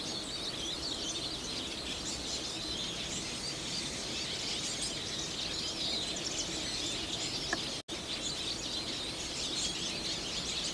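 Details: A flock of about 30 Eurasian siskins in winter on Mount Gokurakuji, Hiroshima, Japan, on February 27, 2020, twitters nonstop, with much song and subsong ahead of the breeding season: a dense, high, wheezy chatter of overlapping calls over a steady hiss.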